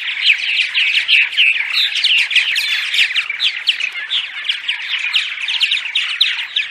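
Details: Continuous purple martin daytime chatter meant to draw migrating martins to nest houses: many overlapping gurgling, croaking and chirping notes forming a lively, unbroken chorus.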